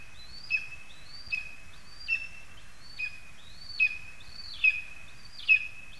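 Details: From a spruce in Zemgale, Latvia, 22 August 2021, a lesser spotted eagle gives seven regular high yelps, each with a whistled rising start, against a constant low background hum.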